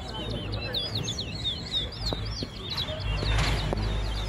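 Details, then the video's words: Chestnut-bellied seed finch in a Guyanese singing competition sings a rapid run of sweet, slurred, rising and falling whistles while a man counts its songs aloud over a low murmur. "Towa Towa Bird Singing Competition"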